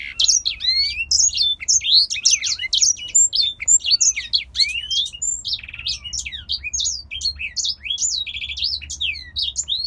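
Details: Steady, lively warbling from a captive male grey singer finch originating in Poland: dense sequences of sharp slurred whistles and brief buzzy trills, running without a break for about ten seconds.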